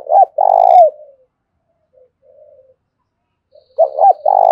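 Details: Spotted dove lure call in thổ pha style: a loud phrase of short coos and a long rolling coo, a quiet pause with faint murmurs, then the same loud phrase again.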